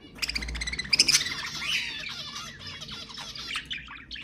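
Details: Budgerigar song used to prompt pet budgies to sing: continuous buzzy, squeaky chattering with a cluster of loud sharp tweets near the first second, then a steady rasping warble.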